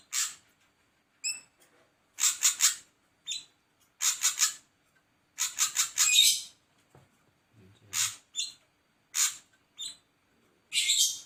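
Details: Ashy drongo calling: harsh, broadband rasping notes in short bursts and quick triplets, irregularly spaced, with a few brief clear whistled notes between them.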